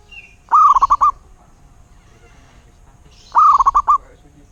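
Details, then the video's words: Zebra dove of a local wild type giving two trilled cooing phrases about three seconds apart, each a quick run of five or six mellow low notes. Other birds chirp faintly and high in the background. "Suara Burung Perkutut LOKAL alam"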